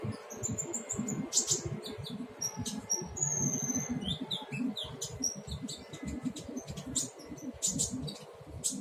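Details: Young konin bird learning to sing: scattered high thin whistles, short sharp chirps and brief rising notes, irregular and unstructured, over a steady low rumbling background.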